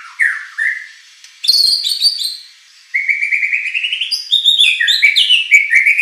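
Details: White-rumped shama song played to draw competition birds into answering: slurred whistles, a harsh bright burst, then a long trilled rising phrase and energetic varied whistling.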